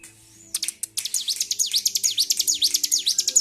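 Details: After a short quiet start, an agitated bar-winged prinia launches into a quick train of high V-shaped chirps that repeat evenly. Recorded 26 February 2023 while the bird was being provoked.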